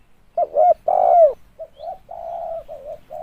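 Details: Decoy spotted dove: two loud hoots, the second long and sliding down, followed by a string of soft, low, wavering coos.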